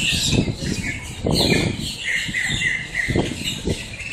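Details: Blackbird flock in Miami, Florida: short, harsh mid-pitched calls in quick runs amid a steady chorus, mixed with low fluttering and thumping sounds.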